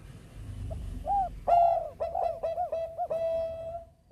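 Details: Bangkok zebra dove singing to encourage other birds to call: two soft arched coos, then a loud burst of fast stuttered notes blending into a sustained level trill that fades at the end.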